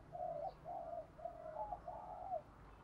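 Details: Spotted dove calls, part of a male and female recording used for daily training of doves: a quiet run of four soft, level coos over low background hum.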